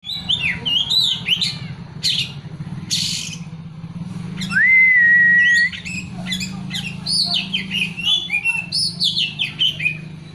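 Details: Caged oriental magpie-robin singing a varied, full-repertoire song: quick rising and falling whistled phrases and chirps, one long steady pure whistle in the middle, and a low steady hum underneath.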